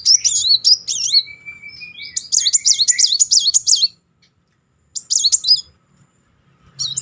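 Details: Kolibri Muncang sunbird singing continuously as a lure to stir a silent bird: fast, high, looping wavy trills in bursts, a thin level whistle at the two-second mark, then short pauses before further rolls.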